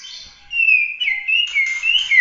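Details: Bahorok white-rumped shama (murai batu) singing competition-style 'tembakan' phrases: clear, pure whistles sliding up and down, broken by short bright bursts near the end, with a quiet background.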